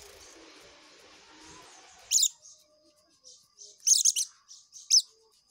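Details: Oriental white-eye, ngekek song style: after a stretch of hiss, bursts of shrill high chirps arrive, including a quick double note and a final sharp slurred chirp, separated by soft high twitters.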